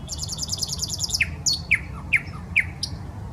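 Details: Common nightingale in a park on the Smolenka, Saint Petersburg: a rapid high buzzy trill followed by sharp descending notes repeated about twice a second, with soft background hum.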